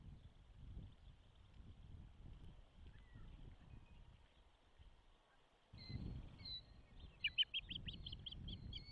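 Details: Osprey at a nest-cam nest in Charlo, Montana, on 12 June 2024 as the first egg hatches: low rumbling noise, then a brief burst of sharp, high, whistled chirps in quick succession near the end.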